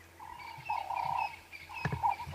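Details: Ring-necked dove (Streptopelia capicola) calling from a perch at sunrise on 19 August 2016, throat puffing out as it calls: mellow, hollow cooing, one long drawn phrase then a shorter one, with a sharp click and faint hum.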